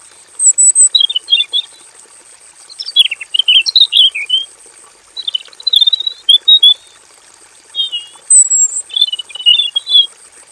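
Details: Robin in a simple aviary cage pouring out a long varied song, one energetic bursting phrase of rapid chirps, slurred whistles and trills after another, with only brief pauses, over a steady faint high whine.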